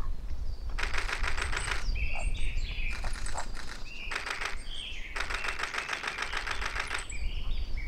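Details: At Lake Yamanaka's Ōbora spring in Japan, 21 April 2019, a Eurasian wren delivers loud machine-gun-like trills in three bursts, separated by brief twittering phrases, over a steady low rumbling background.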